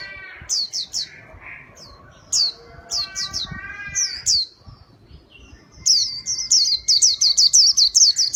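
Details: White-eye singing, as played to lure birds: fast high chirps that dip in pitch, mixed early on with lower harmonic chattering notes, then a long steady rapid run of sharp notes.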